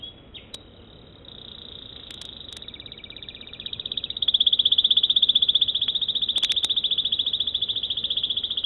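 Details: American Singer canary in long song: a soft opening phrase, then a sustained, very rapid high trill, loud and even, interrupted by a few sharp clicks.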